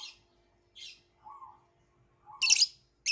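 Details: A violet lovebird gives short, squeaky chirps. Soft, low murmuring notes sit between them, and a loud, raspy double burst comes near the end.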